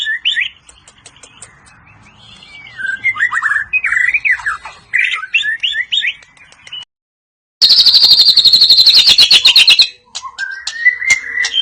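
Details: White-rumped shama of the Medan type delivering cililin and besetan phrases: slurred whistled notes and sharp rising-falling strokes, a brief gap, then a loud fast buzzy rattle of rapidly repeated notes, ending with a clean rising whistle.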